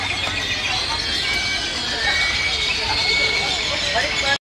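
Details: Grackles gathering in the evening on the town square in Valle de Bravo, Mexico: a dense, unbroken chorus of overlapping squeaky whistles, harsh chatter and shrill piping, over a faint murmur of people and traffic.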